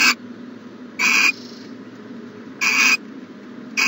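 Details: Owl at its nest box, morning of 14 January 2020: breathy screeching hisses spaced about one and a half seconds apart, two full bursts plus clipped ones at each edge.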